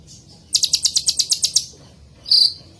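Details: Copper-throated sunbird (kolibri ninja) delivers a crisp trill of about ten sharp high notes, followed after a pause by a single longer, slightly buzzy high note.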